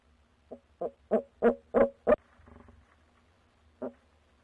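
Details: Barred owl hooting at night near a nest box on 6 February 2019, where a female and a male called in turn: six rhythmic hoots growing louder, then a short pause and one final hoot.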